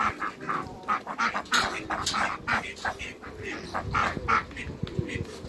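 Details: Three Pekin ducks, two males and one female, on a waterbird farm, giving rough nasal quacks in quick irregular bursts, several per second, with farmyard background noise.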